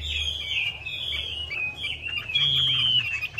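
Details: Chinese hwamei song used as a lure for a hwamei that has stopped singing: a continuous, high warbling stream of whistled notes with slurred, rising and falling phrases over a faint low hum.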